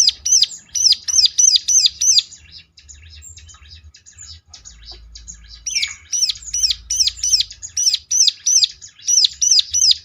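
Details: Ciblek singing as a lure for other ciblek to reply: rapid, repeated high chevron notes in a steady rhythm, interrupted by a few seconds of softer scratchy twittering before the run resumes.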